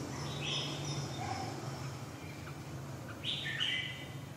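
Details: Red-whiskered bulbul singing: short, bright whistled notes early on, then a louder, high, slurred phrase near the end, over a steady low hum.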